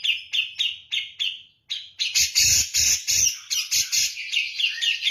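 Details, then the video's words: Grey-cheeked bulbul, Javan type, singing persistently in kapas tembak-like style. Steady chipping notes are followed after a short gap by a dense burst of harsh, noisy chatter with repeated chirps. "cucak jenggot jawa gacor ngotot seperti kapas tembak"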